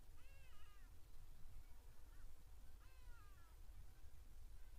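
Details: Hadeda ibis alarm calls heard on a live nature stream: two loud, harsh, nasal drawn-out calls a little over two seconds apart, each slurring slightly downward, with a fainter call between them over a steady broadband hiss.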